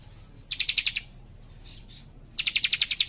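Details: Warbler delivering two rapid bursts of high, dry ticking notes, seven to nine notes each, separated by over a second of quiet with faint soft notes between.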